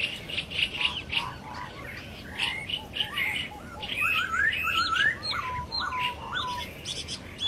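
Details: Several laughingthrushes call from the wild at once, mixing squawky chirps with clear, rising whistled slurs that overlap in a busy, uneven chorus.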